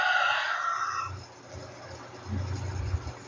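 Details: A rooster named Major gives a hoarse, drawn-out crow that fades out about a second in, followed by quiet low rumbling; chicken crow.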